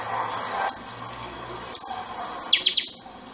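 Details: Buffy-fronted seedeater (pixoxó) singing the chanchão style of song: a few sharp, very high metallic notes spaced apart, then a fast ringing run of three or four notes near the end, over steady low hum.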